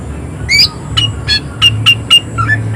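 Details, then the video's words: Short burst of harsh 'tembakan' notes from an excited greater green leafbird: about seven loud, sharp, explosive chirps spaced irregularly over under three seconds, with low hum beneath. "Cucak ijo gacor tembakan suara kasar emosi tinggi"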